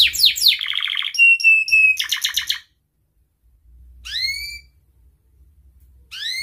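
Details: Breeding-condition canary calling a rival, lure for young canaries: fast chattering trills, a level pure whistle, a pulsed phrase, silence, then two loud rising 'cuit' whistles.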